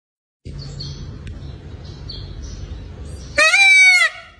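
After a quiet stretch with faint small-bird chirps, a peacock gives one loud, brassy, wailing call lasting under a second.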